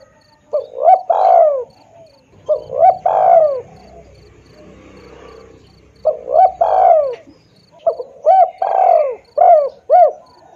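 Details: Spotted dove cooing for luring birds: several phrases of three or four coos, each ending in a longer falling note, separated by pauses. Soft, regular high ticking is heard throughout.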